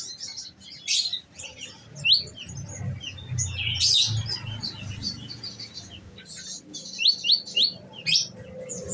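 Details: Captive olive-backed sunbird (konin) on a nectar diet, delivering scattered high chirps, then quick runs of sharp upslurred notes repeated in fast succession; faint low hum.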